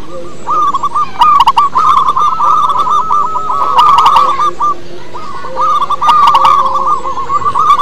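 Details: Local zebra dove with a strong voice, used as a lure for other doves, giving fast, bubbling trilled cooing in two long phrases, with a lower tone underneath and recurring sharp clicks.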